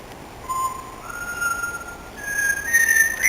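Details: A parrot whistling the tune of "Singing in the Rain" on a sunny day: clear, sustained whistled notes held for about half a second each, stepping upward in pitch through the phrase, over a quiet background.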